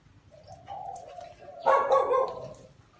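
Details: A spotted dove in a small garden coos, a soft, low, drawn-out note followed by a louder, throaty, slightly rolling coo, with quiet background hum.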